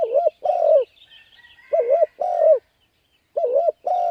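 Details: Spotted dove calling to lure wild birds, rhythmic pairs of coos, a wavering short note then a longer falling one, with a faint high trill from another bird behind.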